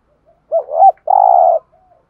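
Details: A Spotted Dove gives its "thúc gù" coo, a call used to stir up decoy birds: a soft, low, short hooting double note, then a longer, steady, hollow note, with no other sound.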